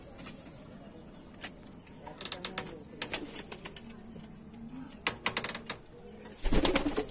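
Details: Kept Huma pigeons give low, soft coos amid sharp bursts of wing claps and flapping.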